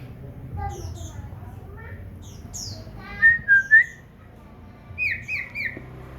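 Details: Common iora kept as a house bird: faint scattered chirps, then a burst of three loud whistled notes, one dipping and rising, followed by three higher short whistles, against soft background hum.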